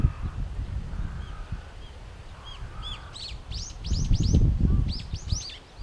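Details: Nectar-feeding brown-eared bulbuls in a flowering cherry tree in Japan, noisy: soft thin notes building to a rapid run of loud, squeaky, arched calls, with low rumbling background noise.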